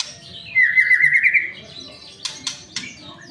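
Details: White-rumped shama song meant to make other shamas start singing: one loud sustained whistled note sliding slightly up and down, followed by three sharp clicks.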